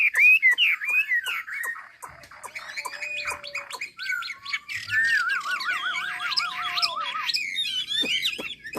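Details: Vietnamese hwamei from Hà Giang sings varied loud whistles, then a long wavering trill lasting about two seconds, then more bright slurred phrases.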